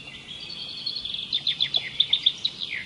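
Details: Bright bird song: about a dozen quick, evenly spaced high chips forming a trill, closing on a short downslurred note, over low steady background noise.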